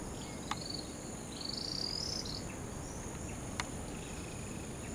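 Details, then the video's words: Least Grebe at Posada Granja El Ojito, Falcón, Venezuela, gives a high, thin, nasal note drawn out for about a second, with a shorter note before it, over a steady high insect drone and two sharp clicks. "Least Grebe"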